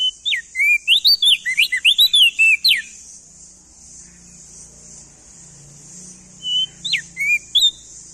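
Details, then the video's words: Tutor song of a male crested white-eye, endemic to East Nusa Tenggara: a fast run of loud, clear whistles rising and falling for about three seconds, a long quiet gap, then a short whistled phrase, over constant high-pitched hiss. "Masteran Burung Opior Jambul Muda Biar Cepat Gacor Rajin Bunyi Siang Malam"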